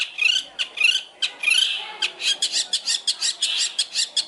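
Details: Long-tailed shrike master song used for training other songbirds: a few drawn-out harsh, buzzy phrases, then a rapid run of short, sharp clipped notes repeated several times a second.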